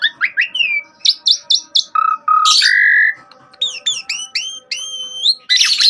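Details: Asian pied starling in lively 'gacor' song from a master recording: varied loud whistles, upslurred and downslurred notes, short clipped phrases, a sustained nasal note near the middle and harsh rasping bursts.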